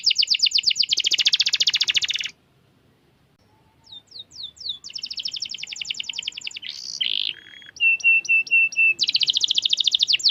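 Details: Canary in energetic song, a fast rolled trill that stops for a short pause, then resumes with sweeping notes, buzzy trills, repeated short whistles and a final rapid roll.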